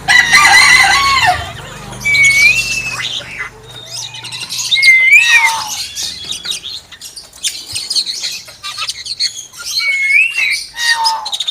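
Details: Common hill myna said to copy a chicken, giving a repeated pure whistle that rises then dips, roughly every three seconds, between rough squawky chatter and a faint low hum.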